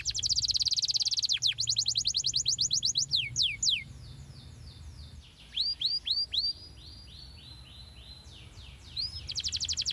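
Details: Canary song used as a training lure to get young canaries singing steadily with long rolls: rapid high trills of fast repeated notes, interrupted by falling whistled sweeps and short gaps, then another quick trill, over a low steady background hum.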